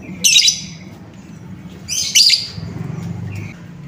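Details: Lure sound for exciting an untrained lovebird: two separated bursts of shrill, buzzy high chirps, the second followed by a soft short note, with a low rumbling hum behind.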